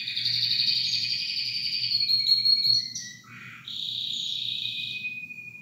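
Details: A canary sings a sustained high buzzy roll, breaks into lower warbled notes and a brief dip, then resumes with a bright even trill and a held whistled tone.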